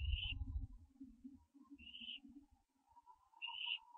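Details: Barn owl owlet at 4:07 AM on 15 September 2011, around its branching: three hoarse rising calls about 1.7 seconds apart, with scraping and rustling movement noise beneath.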